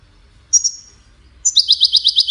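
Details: Singing European goldfinch, Wiydani type, from Salé: a single thin high whistle, a second whistled note, then a rapid rattling trill of clipped, bright repeated notes continuing to the end.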